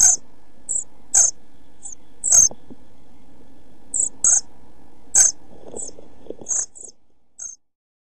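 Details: Eleven- to twelve-day-old pied flycatcher young inside a nest box camera setup, 29 June 2013, shortly before fledging: repeated very high sibilant begging notes, roughly one per second, interspersed with scratchy rustling bursts, fading out toward the end.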